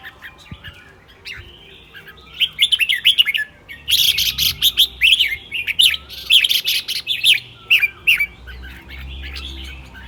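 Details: Caged red-whiskered bulbul singing in the morning: short whistled, warbling phrases repeated in quick bursts, with sharp clicking chirps layered over the middle stretch and a quiet background.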